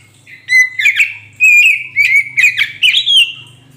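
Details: Kacer poci Oriental magpie-robin, recorded to coax a silent magpie-robin into answering: loud whistled phrases mixed with rapid chirps and slurred notes, over a low steady hum.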